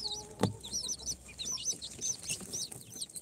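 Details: Baby chicks hatched in an incubator, day four, Sultan, Golden Sebright, Cochin and booted breeds: quick looping high cheeps in short bursts, with a single low knock near the beginning.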